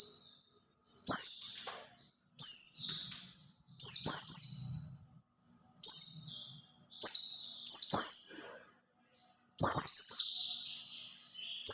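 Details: Singing white-eye used as a lure for other white-eyes, giving many short, high, sweet phrases, each a quick burst falling into a warbling trill, repeated roughly every second or two.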